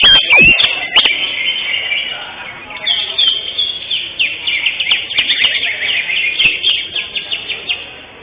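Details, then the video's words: Greater green leafbird, first-place winner at a bird singing competition on 11 October 2025, delivers a fast stream of high slurred notes and rapid rising chirps, repeated several times a second, after a few loud clicks at the start. "JUARA 1 CUCAK HIJAU JENAR"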